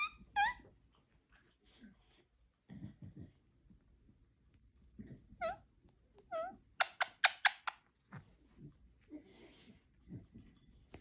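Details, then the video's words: A pet parakeet gives scattered bright, harmonic chirps, then a quick burst of four or five sharp chirps, while a person talks softly to it. "Parakeet making cute noises"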